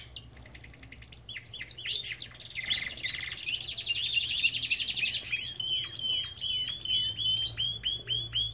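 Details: Belgian canary kept in an aviary: a thin high trill and mixed chirps lead into a dense warbling roll, followed by a series of repeated upslurred whistles.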